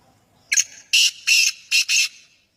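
A black francolin gives a loud, harsh, grating phrase: a short clipped note, then four rasping notes in quick rhythm, with nothing else heard.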